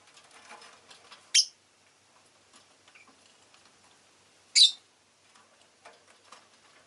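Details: Two isolated, piercing chirps about three seconds apart from a pet rosy-faced lovebird, with soft rustling and faint clicks in between.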